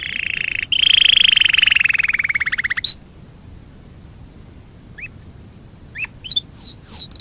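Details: Canary singing a training song. A fast, even rolled trill slowly falls in pitch over about two seconds, then a pause, then scattered high slurred whistles and quick upward flicks.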